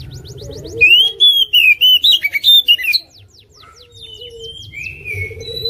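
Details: Oriental magpie-robin competition bird that won nationally in 2021, delivering full song with shooting notes: a soft start, then a loud two-second burst of rapid, sharply rising and falling whistles, easing into quieter chirps and warbles over faint hum.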